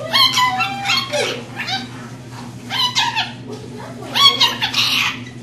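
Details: Female rainbow lorikeet kept as a pet, reciting learned phrases such as short commands: strings of high, scratchy, speech-like syllables with brief gaps between phrases, over a steady electrical hum.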